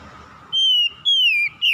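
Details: Oriental magpie-robin (kacer) lure song to prompt lazy birds to sing: two long, clear whistles that slowly fall in pitch, then the start of a third, over a soft hum.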